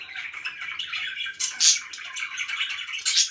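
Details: Chirping pet budgies indoors: ongoing warbled chatter punctuated by a couple of loud, shrill high squeaks.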